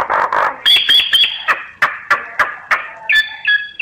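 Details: Myna song of harsh, buzzy bursts mixed with a sustained whistled tone, followed by evenly spaced sharp clicks and short rising whistles at the close.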